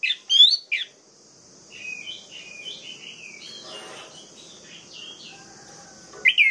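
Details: Orange-headed thrush song played to provoke other males into singing: loud rich whistled phrases at the start and end, with a softer run of quick varied warbling notes between them and a steady high hiss throughout.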